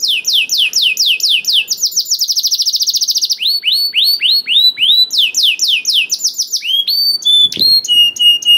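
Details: Canary song used to stimulate other canaries to sing: rapid repeated descending whistles, a long fast rolling trill, then upward-curving notes and sharp metallic chips, bright and high-pitched throughout.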